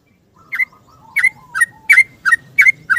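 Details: Yellow-vented bulbul's long 'ropel' morning song, seeking a companion, used as a lure. Soft low whistles, then seven bright bubbly chirps spaced about a third of a second apart.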